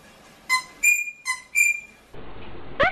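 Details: Rosella whistling two pairs of notes, a short lower note then a longer higher one. Hiss and a brief squeak follow near the end.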